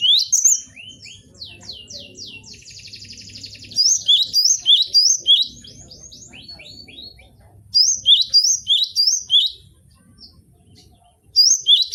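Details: Gelatik batu, the cinereous tit, singing for a cage-bird training track: bursts of sharp, high whistled two-note phrases repeated quickly, separated by pauses, mixed with fast descending trills and buzzy chatter from other birds.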